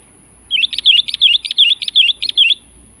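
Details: Call of a sooty-headed bulbul challenging a rival: a steady string of about eight loud, clipped chirps, each a quick up-and-down note, delivered at a brisk, even pace over two seconds.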